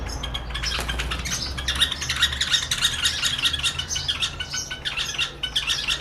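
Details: A pair of White-eared Bulbuls from Rajasthan on a window sill, singing at their mirror reflection as if at a rival in a song battle. Dense, overlapping squawky chatter and chirps run continuously over a low steady hum.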